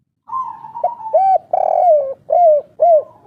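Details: Energetic kuk 3 cooing by an old local spotted dove of Indonesian forest: a steady hum leading into rounded arched coos, a broad full note, and two final descending coos about half a second apart.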